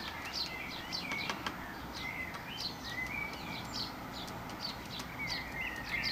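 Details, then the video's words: Starling feeding on mealworms in a garden; a steady stream of short high chirps and clicks mixed with thin whistled notes sliding around two kilohertz, over background noise. "Starling feeding on the Meal Worms"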